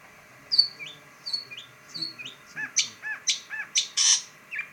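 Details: Long-tailed shrike, called pentet, giving slurred falling whistles followed by rising hooked notes and a burst of sharp, high, rattling chips.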